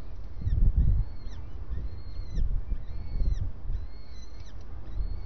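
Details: Clear arched whistles from a starling at breakfast, evenly spaced about every second, accompanied by louder low knocking and rumbling sounds.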